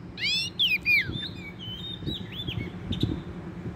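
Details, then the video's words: Wild Oriental magpie-robin at a trap, singing vigorously: a few loud curving whistles early on, then softer drawn-out and arched notes over a low background hum and faint knocks. "bẫy chích chòe than bổi rừng hót rất sung"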